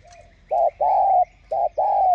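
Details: Close spotted dove coo, played to get other doves cooing. Two rapid pairs, each a short mellow note and then a longer sustained hoot that tails off slightly. A soft higher bird call runs underneath.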